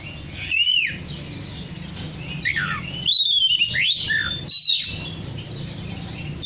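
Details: Oriental magpie-robin singing to attract other magpie-robins: separate clear whistled phrases, some rising then falling, a long bright descending whistle and quick chattery notes, spaced by short pauses over a low background hum.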